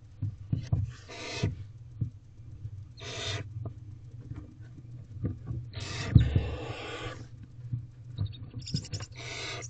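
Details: Wild barn owl owlets in a nest box at 8:05 pm on 18 April 2023, the oldest two trying to eat directly as they are fed, give harsh broadband hissing screeches in bursts of about half a second over a low steady hum and scratching.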